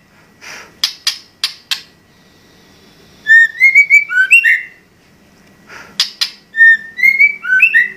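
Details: White-rumped shama in energetic gacor song: bursts of harsh clicking notes alternate with fluid runs of clear, rising and falling whistles, the pattern repeated twice.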